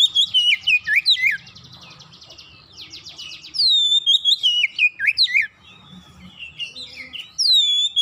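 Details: Oriental magpie-robin song played as a lure to make birds sing: strong whistled phrases of descending slurs alternating with buzzy rattling trills and softer chirps, loud phrases returning several times.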